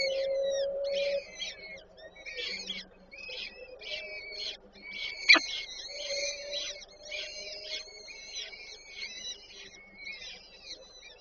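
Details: Peregrine falcon nest scene in Warszawa Żerań, Poland, 8 May 2023, with the female feeding chicks: a dense chatter of high, squealing calls, a steady low tone underneath and one sharp click midway.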